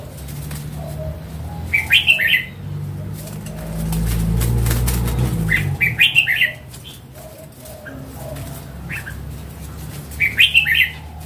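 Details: Mature wild red-whiskered bulbul repeats short, cheerful, bubbling song phrases about every four seconds, three bursts in all, with a low rumbling noise between the first two.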